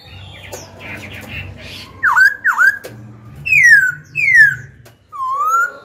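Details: Young Black-throated laughingthrush song meant to rouse rival birds and train young birds' voices: two dipping whistles, two long falling whistles and a final rising whistle, over low humming background sound.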